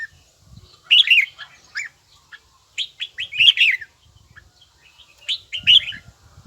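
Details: Red-whiskered bulbul practising a bell-like song: lively whistled phrases of several slurred notes repeat about every two seconds, over faint low thumping noises.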